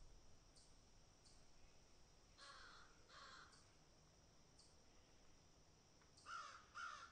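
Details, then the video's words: Crows feeding and picking at food: two softer caws early on, then two louder harsh caws close together near the end, with faint ticking sounds between. "Animal Sound, Crows Picking and Eating"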